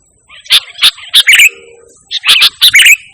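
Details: Sooty-headed bulbul singing energetically without mimicry, played to call and tutor pet birds: sharp clear chirps in quick pairs, a short pause, then a busier run of bright twittering notes.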